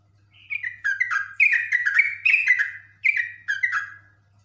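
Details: Excited yellow-vented bulbul pouring out long 'ngekek' chatter: bright gurgling phrases of quick falling chirps, about eight bursts with one short break, loud against a faint constant low hum.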